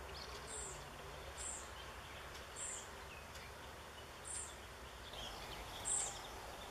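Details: Young European pied flycatcher in a backyard on 7 June 2013, calling for a parent: short, very high, thin notes, five in all, spaced about a second or more apart, over a steady low rumble of background noise.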